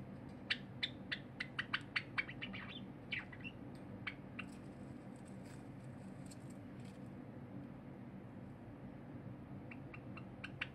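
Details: Cinnamon Java sparrow singing indoors while a silver Java sparrow quietly eats nearby; short sharp clicking and chipping notes in a quick series, a pause, then a thin high warble and a few more clicks near the end.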